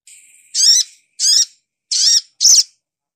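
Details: Sogok ontong, the brown-throated sunbird of Indonesia: a thin high whistle followed by four short, harsh, buzzy high-pitched notes spaced about half a second apart.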